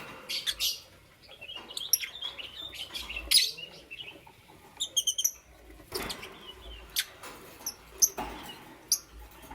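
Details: Green, yellow and lutino lovebirds chirp in the morning. The calls are lively, shrill and high, with quick stuttering squeaks, a short rattled trill near the middle and sharp single chirps scattered throughout.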